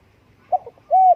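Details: Spotted dove cooing: a short low note, a brief double note, then a long smooth slightly arched coo, clean with no other sounds.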